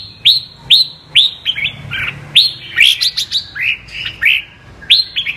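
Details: 'Giọng kép' double-voice song of a red-whiskered bulbul described as a 'mơ' bird: upslurred whistled notes about twice a second, then a denser warbling phrase, over faint low hum.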